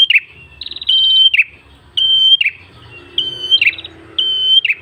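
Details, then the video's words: Red-headed tailorbird lure song: loud level whistles, each breaking into a short falling buzz, repeated about once a second, with soft stuttering notes and a faint low hum beneath. "MASTERAN PRENJAK KEPALA MERAH GACOR SUARA NGALUN ENAK"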